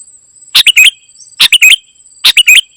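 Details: Kutilang emas (ruby-throated bulbul) in energetic gacor isian song. Three tight phrases, each a burst followed by two or three slurred chirps, repeat roughly every 0.85 seconds above a faint steady high whine.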